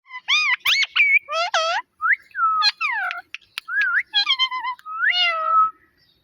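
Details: Pet talking parrot repeating imitated words and meows: a rapid run of bright, harmonic, swooping syllables that rise and fall, with short pauses between bursts and no other sounds.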